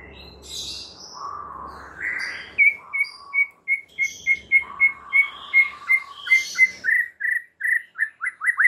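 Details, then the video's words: White-rumped shama lure song for stressed birds: soft warbling gives way to a long run of short, clear whistled notes repeated about three times a second, with faint background hiss. "PANCINGAN Murai Batu satu ini mampu Atasi Murai STRESS seketika jadi GACOR NGAMUK"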